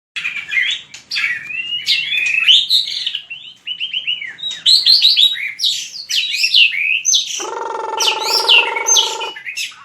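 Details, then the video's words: White-rumped shama fighting song (hót đấu) used to train birds: rich run of rapid whistled phrases, slurred up and down, ending in a harsh, steady buzzing band lasting about two seconds. "Luyện chòe lửa hót đấu/luyện giọng chòe lửa/kích lửa shama bird"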